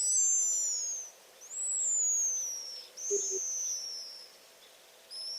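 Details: Pigeon Guillemot scream, an alarm given when startled, near a predator such as an eagle, or disturbed by approaching people, neck extended and bill agape: a series of long, very high, drawn-out downslurred wailing whistles, about three in five seconds.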